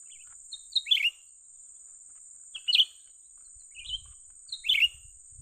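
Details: Young cucak ranting bulbul being lured for trapping repeats quick, bright chirp clusters about every second or two, with soft low thumps near the end and a constant high-pitched hum.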